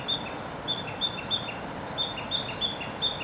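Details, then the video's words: Narcissus flycatcher singing on a tree in Gifu Prefecture, Japan, during May 2024: clear high piping notes, each paired with a softer dropping note, repeated in a rhythmic string with a short pause midway, over faint background noise. "キビタキの鳴き声 Songs of Narcissus Flycatcher Ficedula narcissina"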